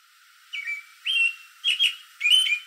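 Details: American robin calling late in the evening from a tree in a backyard, answering other robins nearby: clear whistled phrases, three rising-falling carols spaced about half a second apart.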